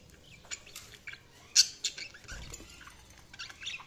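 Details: Budgerigar chatter: quiet scratchy chirps with one sharp squawk and some soft twittering.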